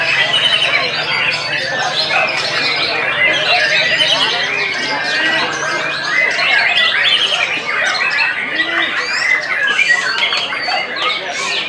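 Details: Continuous, energetic white-rumped shama song packed with rasping squawks, quick trills and scratchy chatter that overlap throughout.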